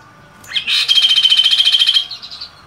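Chestnut-capped Babbler: a short upslurred note, then a fast, even trill of about eighteen high chirps over just over a second, ending in a softer flourish.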